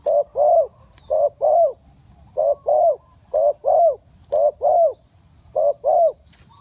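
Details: Spotted dove calling to lure birds down, a lure-trapping setup: paired low hooting coos around 500 to 800, repeated about once a second in short phrases of two notes, with faint high insect hiss behind.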